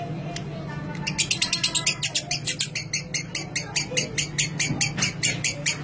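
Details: Lovebird in clear ngekek chatter, used to spur other lovebirds into long ngekek: high rasping notes repeated rapidly and slightly unevenly, rising and falling in loudness, with a constant low hum underneath.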